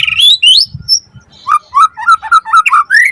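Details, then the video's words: Varied white-rumped shama song used to stir other birds into singing: rising whistles at the start, then a quick string of lower fluty, warbling notes. "Pancingan Murai Batu Langsung Nyaut Auto Bunyi Cpt Gacor Full Isian Buat Masteran Suara Burung Murai"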